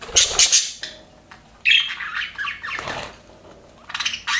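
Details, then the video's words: Budgies in an aviary, described as happy, give scattered bursts of scratchy chirps and squawks separated by quieter gaps, with a last loud burst near the end. "HAPPY BUDGIES SOUNDS PART 1"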